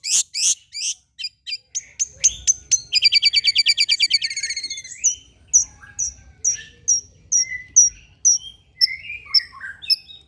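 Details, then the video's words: Long-tailed shrike song used as a lure to get shrikes singing: sharp clicking notes, a quick rattling trill, then a steady series of high whistled slurs with some lower twittering near the end. "PANCINGAN CENDET TERBAIK, SEMUA JENIS CENDET PASTI NYAUT BUNYI DIBUATNYA"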